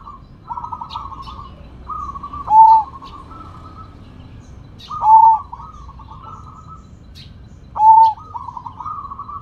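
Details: Rare Sumbawa zebra dove in full, loud song: three complete phrases, each a bright ringing coo followed by a bubbling run of quick trilled notes, repeating about every two and a half seconds, with a soft low rumble in the background.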